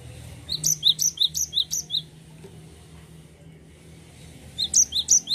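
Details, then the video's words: Cinereous tit singing continuously in 'ngerol' style. A run of fast, high, paired whistled notes is followed by a quiet gap, then the phrases start again. "GELATIK BATU GACOR NGEROL"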